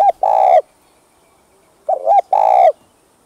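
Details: Spotted dove cooing to excite kept males: two phrases about two seconds apart, each a brief dipping note, then a loud, sustained, slightly wavering coo.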